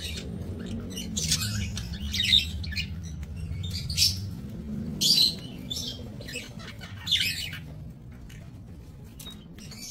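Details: Budgerigars in a small breeding aviary, 28 November 2024, giving scattered bursts of scratchy, high-pitched chirps and warbles with short gaps between, over a constant low background rumble.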